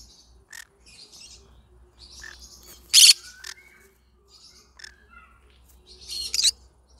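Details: Yellow-sided green-cheeked conure singing, giving sparse high chirps, short whistled notes and two loud harsh squawk-like bursts, with quiet gaps between calls.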